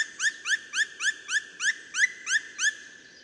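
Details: In a spring forest in Poland's Barycz Valley, a Black Woodpecker gives a run of nine loud, ringing, upslurred notes, about three each second, like a quick repeated 'kwee-kwee-kwee', over a quiet background.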